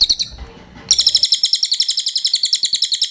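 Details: Cililin training song for songbirds: a high, dry, rapid trill of sharp chirps repeated about seven times a second, starting loud and staying even, after a short burst of chirps and a muffled low rumble.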